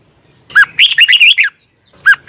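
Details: Red-whiskered bulbul competition song in the 'twisted voice' style, a morning training and lure recording: a sharp rising note, then a quick run of warbled, looping whistles about a second long, and another opening note at the end.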